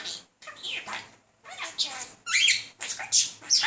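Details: Talking budgerigar male chatting up a female, persistent though unsuccessful; loud warbled chatter of scratchy notes, sliding whistles and shrill chirps in irregular, tumbling phrases.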